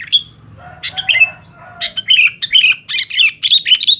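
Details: Sooty-headed bulbul singing to challenge rivals: an opening whistle, then softer lower notes, building into a lively run of bright bubbly warbles and sharp chips over a faint hum.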